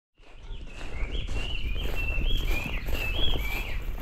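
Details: Wild birds singing in the morning: a series of clear, sliding whistled phrases in a mid-high register, each about half a second, over steady low rumbling outdoor noise and what may be footsteps.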